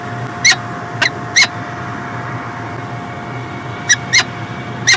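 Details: Peregrine falcon recorded in Montreal, Canada, in 2016: a few scattered harsh, grating call notes in two loose bursts, separated by a pause, with a constant electrical-sounding hum behind.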